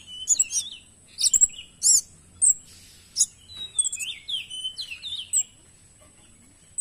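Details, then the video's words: A kemade in full song sings high, sharp chirps and short slurred whistles in quick bursts with brief pauses, over a faint steady high whine. "BURUNG KEMADE GACOR"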